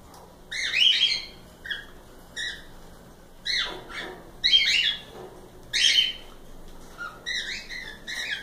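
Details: Cockatiels, several birds, giving loud rasping chirps and brief flat whistles, spaced a second or so apart, with a few overlapping squawks from more than one bird and soft low hum beneath.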